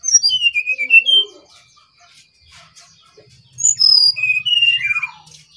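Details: Brown-chested jungle flycatcher from Bali in lively song. Two bursts of clear, sweet whistled phrases, each a tumbling series of high notes stepping downward, are separated by a short pause.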